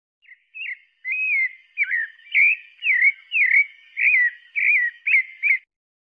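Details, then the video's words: Pale-breasted thrush singing a rapid run of about ten clear, slurred whistled notes, each rising or dipping in mid-high pitch, with no other sounds around it. "Sabiá Parda cantando"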